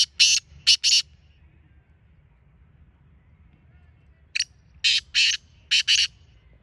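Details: Black francolin, locally kala teetar, giving its harsh grating call: two loud rasping notes, a pause of about three seconds, then a rhythmic burst of four to five scratchy notes, over faint low background hum.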